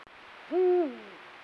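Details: Eurasian eagle-owl on a full-moon night in breeding season, pair calling within its territory; one deep, booming hoot that rises quickly, holds steady, then drops into a drawn-out falling tail.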